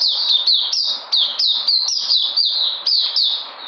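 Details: On 13 February 2020 a white-eye said to be regaining its energy gives a fast series of high, downslurred whistled notes, about four per second. The series carries on without a break over a quiet background.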